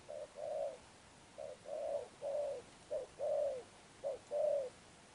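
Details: Cooing of a wild-caught spotted dove in the 'Thúc Đồng Pha Sấm' style, 'Sấm Thổ' tone. Four steady phrases: a quick short note, then a fuller, longer coo. They are evenly repeated roughly once a second in a quiet setting.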